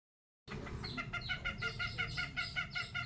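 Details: Long-tailed shrike singing old-style song material: a steady run of harsh, buzzy, evenly spaced notes, about two and a half a second, over constant low background rumble.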